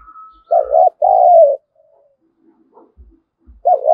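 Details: Spotted dove used as a lure to provoke wild doves to fight, giving a loud double coo, a short wavering note then a longer falling one, and the start of another.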